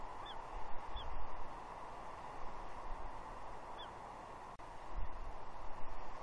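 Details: Juvenile female bald eagle at Two Harbors, Catalina, June 30 2021, mantling near her father on a tree and squeeing for breakfast fish; a few short, high, downslurred squeaks early and midway, with heavy wind noise and gusty thumps.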